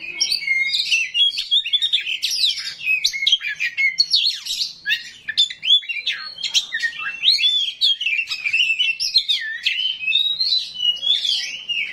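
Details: Oriental magpie-robin of the 'rawit' type singing a harsh 'isian kasar' fill-in song that provokes other magpie-robins to answer: a rapid, unbroken stream of varied high whistles, slurred notes and scratchy chips across twelve seconds.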